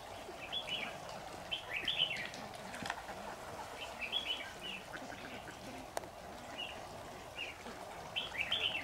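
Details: Red-whiskered bulbul kept as a lure bird in an old cage in a trap by a jujube tree, recorded 26 September 2019. Bright, slurred whistled phrases repeat every second or two, with a single sharp click and a constant low hum.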